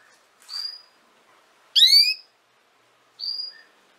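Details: Canary sound for training young canaries: a level high whistle, then a loud, harmonic-rich rising swoop, then another thin whistle. Short silences separate the notes.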